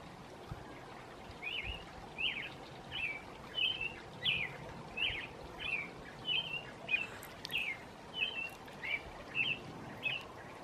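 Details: American robin, described as female, at evening giving a steady run of about fifteen bright, slurred whistled phrases, evenly paced at roughly one every two-thirds of a second, against faint background hiss.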